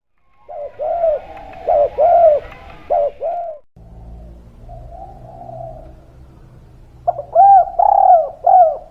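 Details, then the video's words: Spotted dove of local wild stock, in vigorous three-note 'kuk 3' style called melodious: arched, mellow coos in a short run, a lull with a low background hum, then another fast burst of coos. "Derkuku Tekukur Gacor Lokal Alam Kuk 3 Suara Merdu"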